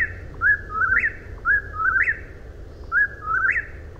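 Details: Three clear whistled eastern whip-poor-will phrases, each ending in a sharp upward sweep, spaced roughly a second and a half apart over low hiss.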